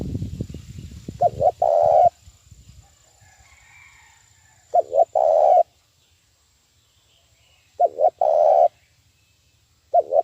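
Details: Lure call of a trapping decoy spotted dove, the strong, rapid 'thúc bổi' style: low hollow phrases of two quick coos and a drawn-out coo, repeated roughly every three seconds, with brief low rustling at first.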